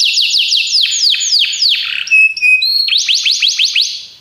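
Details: Belgian canaries singing: rapid series of descending whistled sweeps, then buzzy steady notes and a fast rising trill, loud and clear with no other sounds.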